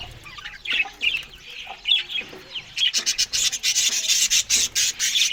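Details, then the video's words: Budgerigars feeding on green food one morning: warbled chirps over the first three seconds, then a fast run of dry, raspy clicks and scraping sounds, about four per second, with chattering underneath. "Australian Budgies morning Eating Green Food"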